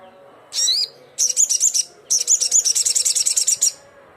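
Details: Crimson sunbird calling rivals: one high buzzy downswept note, then two bursts of rapid, high, buzzy pulsed trills, the second longer at about six pulses a second, over quiet low hum.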